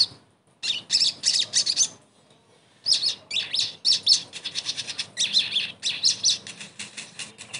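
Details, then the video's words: Sogon singing, played as therapy to get a bird that has stopped singing to sing again: a high twittering burst, a brief gap, then a long, fast, pulsing chatter of buzzy notes. "TERAPI SOGON MACET langsung GACOR"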